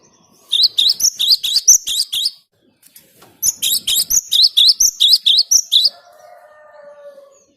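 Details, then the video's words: Cinereous tit singing, a song used for bird luring: two long strings of rapid, piercing, high double notes, about a dozen each, separated by a short pause, then a faint lower drawn-out tone. "Suara Gelatik Batu ini Ampuh buat Pikat"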